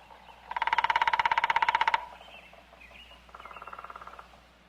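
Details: Woodpecker knocking at a quarry: a fast, even drum roll of about twenty strikes lasting roughly one and a half seconds, a pause, then a shorter, softer roll.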